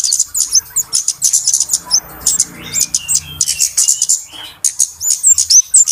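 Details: Lure sound for catching flowerpeckers: crowded, high-pitched tsip notes in quick bursts, with a brief quieter patch of faint low rumble before the chipping resumes.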